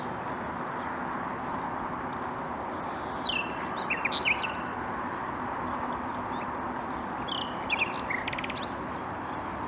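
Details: Common nightingale singing in Bursa on 14 April 2021: a few short bursts of rapid, high clicking notes and quick downward whistles, over a steady roaring background hiss.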